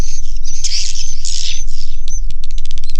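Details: Swiftlets inside a swiftlet house, with a loud burst of high, scratchy twittering followed by a quick series of sharp, dry clicking notes, over a low hum.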